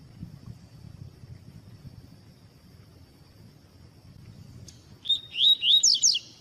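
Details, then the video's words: Pure tui-tui song of a double-collared seedeater (Sporophila caerulescens), played to train and warm up breeders' birds; quiet background with a steady thin tone, then one fast phrase of piercing whistles and steep slurred sweeps near the end. "COLEIRO TUI TUI PURO CANTO TUI TUI PROFESSOR CANTO COLEIRO TUI TUI PARA ESQUENTAR COLEIRO TUI TUI"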